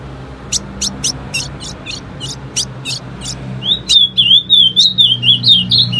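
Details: Female ultramarine grosbeak voice used to prompt males to sing: a steady string of crisp, high chip notes, followed by a louder, rapid, warbling whistled phrase that rises and falls for the last two seconds, with low hum beneath.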